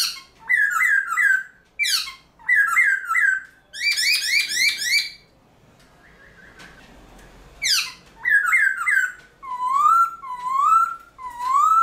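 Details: Varied early-morning singing by a caged Black-throated laughingthrush used to excite other birds. Repeated rising whistles, sharp falling squeals and a rapid rippling trill, then a pause followed by slow upslurred whistles.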